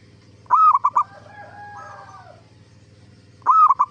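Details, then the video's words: Zebra dove singing as a lure to prompt replies from other zebra doves: one quick phrase of hollow staccato coos, a brief smooth tonal murmur, then the next phrase beginning. "Suara Burung Perkutut gacor AMPUH pancingan JUARA BURUNG PERKUTUT BIAR NYAUT BUNYI"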